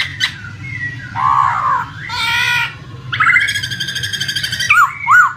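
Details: Laughingthrush lure song to trigger a silent bird: mixed harsh nasal bursts and clear whistles, a buzzy rasping phrase, then a rapid chattering rattle ending in two swooping whistles, over flowing water.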